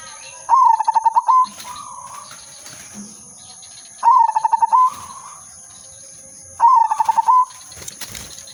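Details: Silver zebra dove kept as a decoy bird, singing steadily: three phrases about every three seconds, each a fast rattle of staccato coos ending in a drawn-out purr.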